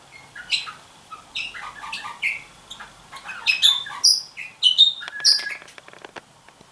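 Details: A pair of red-rumped parrots, the female peering into a nest box with the male sitting beside her as breeding interest begins, with a busy run of short, high, sweet chirps and squeaky notes, some falling, some rising, tumbling quickly.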